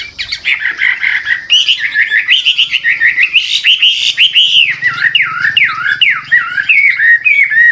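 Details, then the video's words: Old wild-caught hwamei singing lively shifting phrases that help new birds start singing; rich warbled notes rise into a run of loud downward-swooping whistles repeated about twice a second, over light low rumble. "Tiếng chim họa mi mồi già rừng hót luyến láy đảo giọng liên tục, giúp kích chim bổi nhanh hót"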